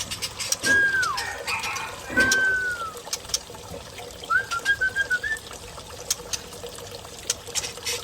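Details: Murai Aceh, the white-rumped shama, in Lamno forest, Aceh Jaya: drawn-out whistles sliding downward, followed by a short string of quick, clipped whistled notes, with clicks and soft background hum.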